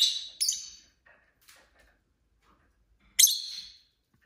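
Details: Indoor pet lovebirds giving sharp, harsh chirps: two quick screechy notes at the start, near-silence with faint clicks, then one loud abrupt chirp trailing off after three seconds.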